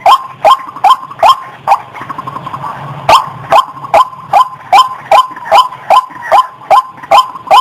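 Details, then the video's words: White-breasted waterhen lure call for coaxing birds from bushes: rhythmic harsh croaks at a steady pace, a short pause with faint hiss near the second second, then the evenly spaced notes resume. "SUARA PIKATAN RUAK RUAK"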